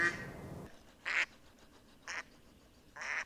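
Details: Raspy mallard quacks, three separate nasal notes roughly one second apart, following a short stretch of louder mixed noise at the opening.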